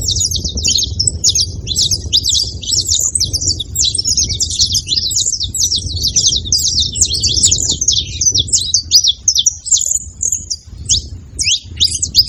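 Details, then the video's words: Grouped saffron finches producing a long, dense chorus of piercing chirps and rapid trills that thins slightly toward the end, over steady low-pitched background rumble. "Canário da terra junto fazendo barulho"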